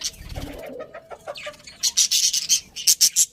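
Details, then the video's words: Colony of budgerigars chattering happily: a soft warble opens, then a rapid string of high, harsh, clipped notes of about a dozen pulses in under two seconds. "Happy Budgies Chirping Sounds"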